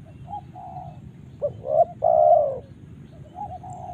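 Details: Spotted dove from Karawang giving one cooing phrase of two short rising notes and a drawn-out mellow coo, framed by quieter coos before and after, over a low rumbling background.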